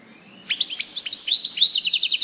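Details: Brief European goldfinch song starting with faint thin whistles, then a quick jumble of sharp high chirps and slurs running into a rapid even twitter.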